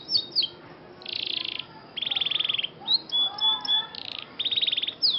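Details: Scotch Fancy canary singing during song training: high trills and buzzy rattling phrases alternate with clear whistled notes and short downward sweeps, separated by brief pauses.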